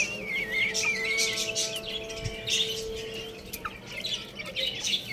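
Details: Little chicks at play and feeding: one wavering, descending peep trails through the opening seconds, then many quick high chirps overlap, with a faint continuous tone underneath.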